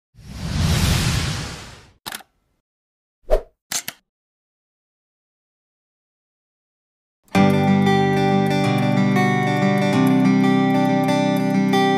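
A burst of hissing noise, a few sharp clicks and silence give way to plucked guitar music.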